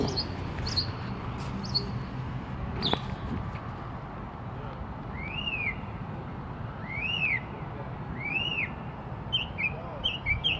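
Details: A bird in a tree gives arched whistled notes that rise and fall, repeated about every one and a half seconds, then turn into quicker, shorter notes near the end, after a few sharp opening notes, with low rumble and a voice.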